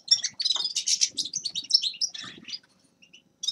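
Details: Grey-crowned goldfinch singing in quick bursts of high, tinkling chirps and twittered trills, broken by short pauses, then a brief fresh burst at the end.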